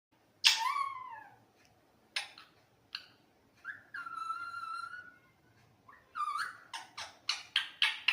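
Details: Talking parrot vocalizing nonstop in its real voice: a loud downslurred squawk, sharp clicks, a long buzzy nasal tone, then a rapid run of short bright chattering notes.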